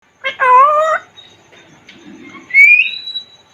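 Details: Caged Congo African grey parrot talking: a rich, wavering harmonic voice-like note, then after a pause a clear whistle rising and levelling into a long steady tone.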